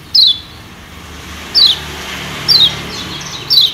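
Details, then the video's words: Yellow white-eye (kecial kuning) of Lombok, Indonesia, used as a lure to stimulate wild birds: four short, high, thin notes, each sliding downward, spaced roughly one second apart over faint steady background hiss. "Pancingan Kecial Kuning JOSS NGOTOT Ampuh Jadi Perangsang Kecial Cepat NEMPEL"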